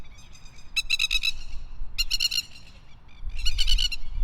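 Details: Masked lapwing (Vanellus miles) giving three bursts of loud, strident, rapid kek-kek-kek notes, each about half a second long, over a low rumble of wind.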